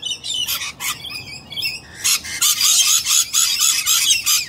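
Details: Galahs contesting a nest hollow with Rainbow Lorikeets in nesting season; rasping screeches, a few separate harsh calls then a dense run of loud grating squawks in quick succession.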